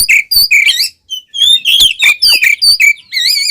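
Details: Fighting song of an oriental magpie-robin with tail fanned, played to provoke other kacer; dense warbling phrases of sweeping, rising and falling whistles with barely any pause.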